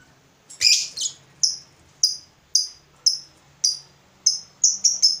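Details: Lovebird fighter reacting to a rival with ngetik: a harsh opening note followed by short, sharp, high ticking chips repeated roughly every half second, speeding up at the end.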